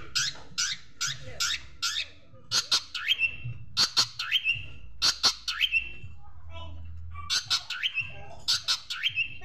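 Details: Long-tailed Shrike master song for training birds, with sparrow-like phrases: bursts of sharp chirps and rising whistled notes in uneven groups, roughly 48 per minute, with a low hum beneath.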